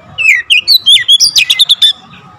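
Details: Vigorous Oriental magpie-robin song delivered in tight bursts, full variation of fill-in phrases: about ten rapid loud whistled and chirping notes packed into under two seconds, sweeping between mid and high pitch.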